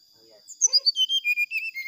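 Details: Brown-chested jungle flycatcher singing to provoke rival birds: a run of loud whistled notes that falls step by step from high to lower pitch, each note evenly spaced.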